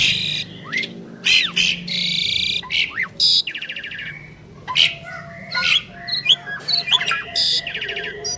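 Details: Asian pied starlings, a pair singing in duet, trading loud harsh rasping squawks with swooping whistled notes and buzzy rattles, broken by short pauses.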